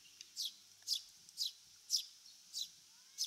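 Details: Eurasian Tree Sparrow in Japan giving a steady series of short, high, downward-slurred chirps. There are six in just over three seconds, about two each second, against a quiet background.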